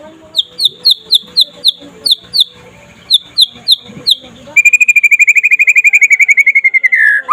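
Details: White-rumped shama singing during the day in trotol style, used as a master recording to make other shamas sing: sharp high notes spaced about every quarter second, then a dense rapid trill of whistles that drops at the end.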